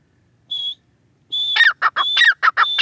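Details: A lone high whistled note from a grey francolin, a pause, then another whistle running into a burst of harsh, ringing syllables in quick succession.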